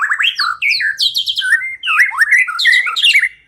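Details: White-rumped shama song played as a lure for trapping: a rapid run of varied whistled phrases, slurred rising and falling notes jumping between low and very high pitches, with barely a pause.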